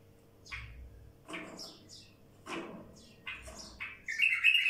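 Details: Wild bulbul giving harsh, broad chirping notes roughly once a second, building to a loud, rich warbled phrase at the end, with a faint low hum beneath.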